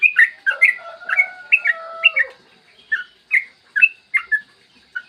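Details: Yellow-vented bulbul song for luring other bulbuls into singing, morning recording: dense bubbly chatter with a lower, drawn-out whistled line beneath it at first, then clear separate chirps at an even pace.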